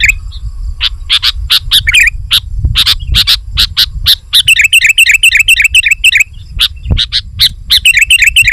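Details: Lively sooty-headed bulbul song aimed at pressing a rival and luring wild birds: clipped chirps at an uneven, rapid pace give way to long, fast, bubbling warbled runs, over a faint low hum.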